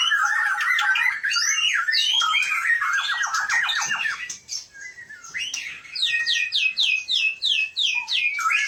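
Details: Gunung Leuser Aceh white-rumped shama, a competition bird raised on a farm in Gayo Lues, Indonesia, performs long ngerol-style song: fast rolling trills and rattles, a brief lull, then a rhythmic series of repeated downslurred whistled notes.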